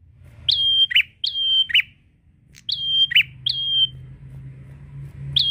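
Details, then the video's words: Energetic prinia song directed at a rival: two bursts of steady high whistles alternating with lower buzzy chips, and another whistle beginning at the end, over low background rumble. "Prenjak Gacor Memanggil lawan"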